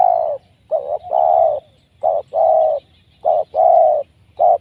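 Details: Wild spotted dove caught by trapping, its voice described as very powerful and suited to a decoy bird: deep, hollow coos in pairs, a short note followed by a longer drawn one, repeated about every 1.2 seconds.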